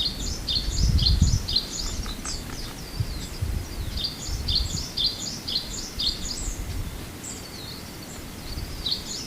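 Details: Japanese white-eye on Amami in February, giving a dense, busy run of short, thin, high chirps in quick succession, some slightly rising or dipping, over a low rumbling background noise.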